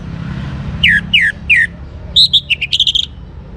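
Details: Caged young orange-headed thrush, used to make other birds sing: three downslurred whistles, then a rapid run of bright chirps, over a constant low engine-like rumble.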